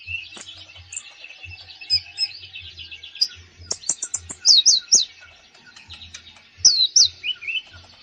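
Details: Konin in full, lively song with varied content, used to coax a reluctant caged konin into singing: high chirps and twitters, then bright downslurred whistles in quick pairs around the middle and near the end, over a faint low hum.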